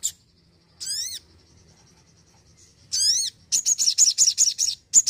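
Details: Energetic crimson sunbird singing: two bursts of layered, sharply falling whistled sweeps, then a quick run of very high, bright chipping notes, about eight in a row, over a quiet background.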